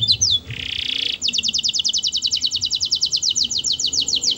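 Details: Melodious canary song intended to set other canaries singing: a few slurred notes and a short rasping buzz, then a long steady trill of rapid, evenly repeated high notes.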